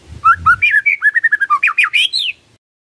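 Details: Lure song of the white-rumped shama, meant to draw a reply from a silent bird: a quick tumbling phrase of rich whistled notes, rising and falling, delivered rapidly for about two seconds, then silence.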